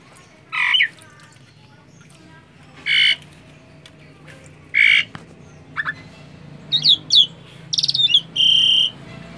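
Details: A caged Asian pied starling, reluctant to bathe and chattering nonstop, gives separate harsh, squawky bursts and whistled notes, about eight phrases over nine seconds, against a faint background hum.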